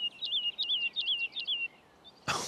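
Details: A woodlark in an ancient woodland leaves its perch on a display flight and sings. Its song is a run of sweet, liquid, looping notes repeated rapidly for nearly two seconds, then a brief sharp noise.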